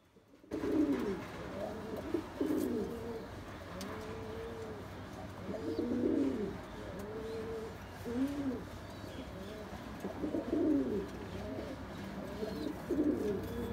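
Bombay pigeons coo steadily, several low, throaty rolling calls overlapping one another.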